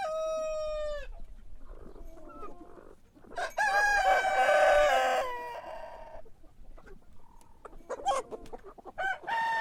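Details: Cock crowing in the morning: a short crow opens, then a loud two-second crow dominates the middle, with faint clucks and distant crows around it.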